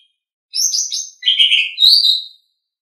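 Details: Short burst of Asian pied starling song for bird training: three linked phrases of scratchy chatter and bright whistled notes, ending on a clear rising whistle, in silence otherwise.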